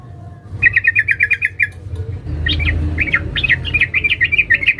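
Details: Female sooty-headed bulbul calling a male: a rapid run of about nine sharp, evenly spaced chirps, then a short pause and a livelier string of varied, clipped notes, over a low background rumble.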